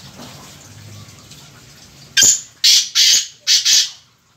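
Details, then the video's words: Black francolin calling at close range: after a quiet start, five loud harsh rasping bursts follow in quick succession, the last two nearly joined, then fade to silence. "کالا تیتر کی آواز ویڈیو"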